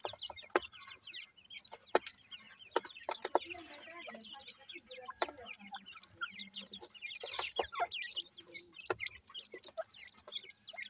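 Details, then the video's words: A brood of grey francolin chicks feeding, their high, wavering peeps nearly continuous, with clicks and knocks throughout and a louder cluster of taps around seven seconds. "partridge tetar ,Teetar ki Bache,dakni Teetar Chicks Feeding"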